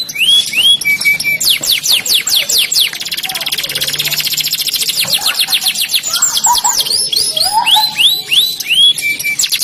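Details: Canary singing a long continuous high song: rapid rolling trills, fast repeated downslurred whistles and sweeping notes, with steady background noise.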